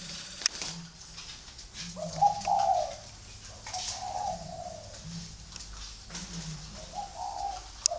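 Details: Free-range breeding spotted doves at a bird farm in Ba Vi, Hanoi, Vietnam: low, soft coos repeat roughly every one to two seconds, with higher drawn-out calls from other birds and faint background chatter.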